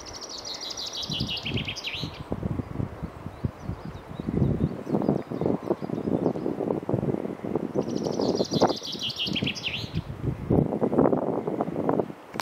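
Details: Common chaffinch singing in a forest: two songs about eight seconds apart, each a bright run of rapid notes descending in pitch and ending in a short flourish, over heavy low rustling and thumping noise.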